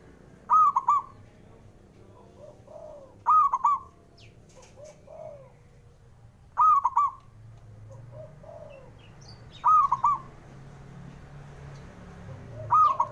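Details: Male zebra dove voice, kept for rousing birds that are slow to sing: a rolling, stuttered coo repeated about every three seconds, five phrases in all, with faint lower cooing between them.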